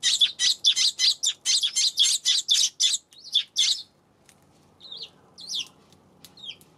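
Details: A loud, rapid run of about a dozen harsh chirps from a Eurasian tree sparrow, roughly four per second, recorded 7 February. Fainter, scattered chirps follow after a short gap.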